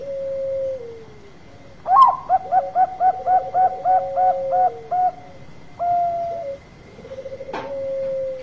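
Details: Bangkok-type zebra dove lure song: a low purring trill, then a rapid run of about ten short, clipped cooing notes, a drawn-out coo and a final rolling trill, over a faint steady high hum.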